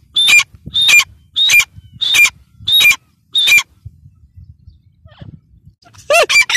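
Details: Partridge giving a string of six evenly spaced, harsh two-part notes, then a quiet gap and a fresh rapid burst of grating calls.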